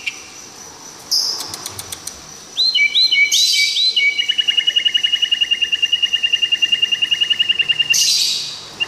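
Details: White-rumped shama from Tangse, Aceh, giving a few sweet slurred whistles followed by a long, rapid, evenly repeated chattering trill of about forty notes, with a brief harsh burst at the start and end.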